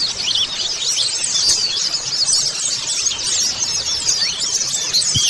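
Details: White-eye colony lure chorus: dense high chatter of many birds, fast slurred chirps blending into a constant shimmering twitter, with brief louder bursts.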